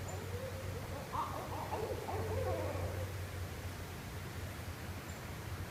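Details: Barred owls calling to each other along the Shoal River in northwest Florida. A single wavering, cackling hoot phrase rises and falls near the middle, fairly faint over a steady low hum and hiss.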